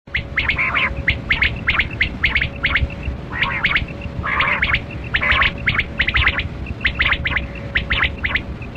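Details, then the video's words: Kali Kirak quail (batera) heard in a hunting setting, giving rapid, harsh, clicking bursts in irregular clusters about once a second, with faint paired high pips and a steady low hum underneath. "Sound Of Kali Kirak Quail Batera"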